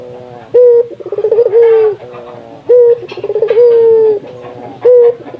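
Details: Spotted dove of a local nusantara strain, its call meant to spur other doves to sing: a brief opening coo, a rapid stuttering run of pulses, then a long drawn coo that sinks at the end, given twice in quick succession.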